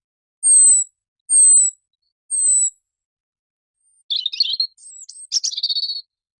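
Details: European robin, a small red-breasted bird singing a sweet melodious song: three thin, very high downslurred whistles about one second apart, then quick jumbled twittering warbles, with silence between phrases.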